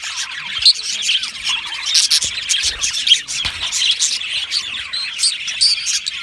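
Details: Several budgies in an aviary keep up a lively, high warbling chatter, with scattered sharp clicks and brief louder chirps over steady flock noise.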